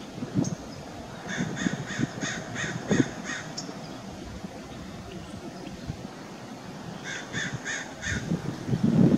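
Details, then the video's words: In summer, a Common Gallinule gives a quick run of about seven harsh, nasal clucks, then a shorter burst of four, over a low background rumble. "Common Gallinule"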